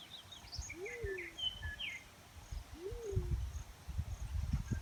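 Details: Black-chinned fruit dove giving two low hoots about two seconds apart, each swelling upward then sliding down, with higher chirps and whistles from other birds overhead and low rumbling noise.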